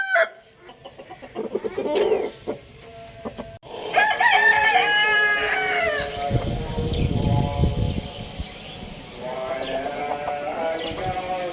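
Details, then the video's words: Handsome rooster crowing loudly: a brief crow ending at the start, then a full drawn-out crow with wavering harmonics lasting about two seconds, followed by low rumbling noise and a softer overlapping crow from another bird. "Adorable Rooster Crowing Sound Effect | Amazing Rooster Clucking Loudly"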